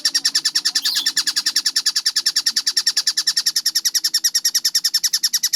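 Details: Tengkek buto (collared kingfisher) sings clearly at a sped-up, tightly spaced pace for song training. Shrill, buzzy notes repeat about three per second, with a brief higher squeak near the start.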